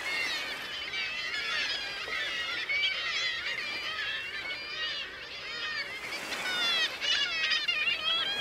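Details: Colony of kittiwakes on the breeding cliffs of Bempton, East Yorkshire, calling continuously: countless overlapping high nasal wavering notes form an unbroken clamour, growing louder in the final seconds.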